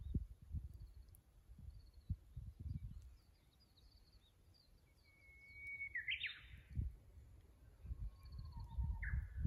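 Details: Spring song of a Japanese bush warbler, 24 April 2025, fixed camera at a tank driving course in Kusu, Japan: a long rising whistle bursts into a sharp downward-twisting flourish, a second phrase beginning near the end, over low rumbling.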